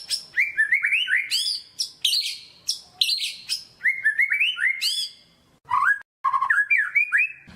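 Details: Loud white-rumped shama lure song meant to rouse quiet birds: fast strings of rising whistled notes mixed with piercing high chips and buzzy accents, varied and nearly continuous, with a brief pause near the end.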